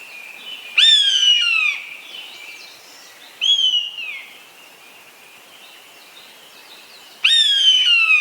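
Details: Common buzzard, a large bird of prey, giving three loud mewing calls, each a high whistled note sliding steadily downward, spaced a few seconds apart over a quiet background.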